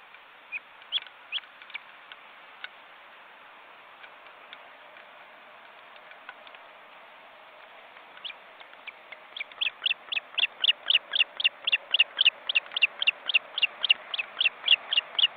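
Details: Osprey at a webcam nest in an Estonian forest reserve, two adults with nearly grown chicks crowding the nest. Faint scattered high chirps at first, then a steady series of sharp whistled notes, about four per second.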